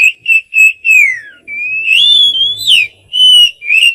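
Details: White-rumped shama male singing to attract a female, a run of rich whistles: several short repeated notes, then a long gliding whistle rising and falling, ending with two more short whistled notes.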